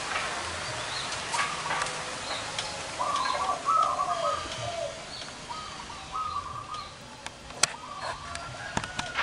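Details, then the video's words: Zebra doves of large and small voice gathered at an outdoor site where birds are lured. Several short rolling coo phrases follow at intervals amid rustling, clicks and steady rural background noise. "PERKUTUT SUWARA BESAR DAN KECIL"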